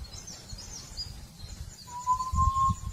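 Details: A single drawn-out, even whistle from a forest quail arrives late in the recording and lasts almost a second. Soft distant high chirps and a low rumble fill the background.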